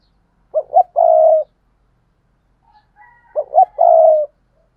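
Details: Spotted dove used as a decoy bird, calling to draw others. Two short low coos are followed by a longer sustained coo, and the phrase repeats after about two seconds in a quiet setting.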